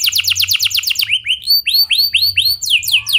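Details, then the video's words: Clear, vigorous canary song meant to encourage other canaries to sing: quick high rolled notes giving way to a run of looping, rising-falling whistles repeated about three per second. "Pancingan Efektif Banyak Burung Kenari Cepat Ikut Gacor Dengan Suara Kenari Gacor Ngeroll Jernih Ini"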